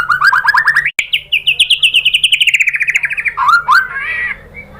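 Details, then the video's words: Singing white-rumped shama, played as a lure to draw out song: a long, rapid run of pulsed notes climbing in pitch, then gently falling, ending in a few sharp upward-swept whistles. "bikin MURAI BATU jadi NYAUT GACOR BONGKAR MATERI TEMBAKAN ¦ PANCINGAN MURAI ¦ SHAMA BIRD"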